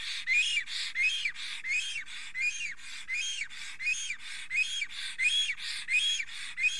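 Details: Male black stork, extremely excited near the nest with a female close by, Estonia, 10:48 in the morning of 30 April 2020. A long, even series of wheezy, whistled notes, each arching up then down, roughly three every two seconds.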